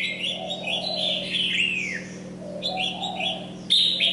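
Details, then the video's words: Red-whiskered bulbul during molt singing lively phrases: clustered whistles followed by a long downward-sweeping slur, a pause, then more quick notes and a sharp loud onset; low hum and muffled chatter behind. "Mào mồi đang thay lông nhưng vẫn chơi nhiệt"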